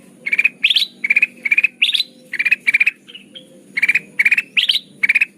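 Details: Sooty-headed bulbul trapping lure: rapid three- or four-note chattering bursts repeated about twice a second, now and then a higher, rising burst, with one faint softer note midway.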